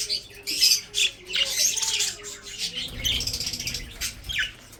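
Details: Breeding budgerigars give dense scratchy chatter and squawks, with a faint tonal hum and rustling below.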